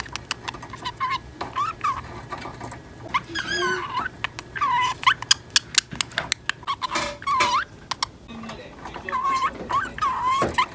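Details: Female pet budgerigar aged ten months imitating a companion budgie's talking indoors; a long stream of chirpy, gravelly babble with repeated warbled syllables and sharp clicks throughout.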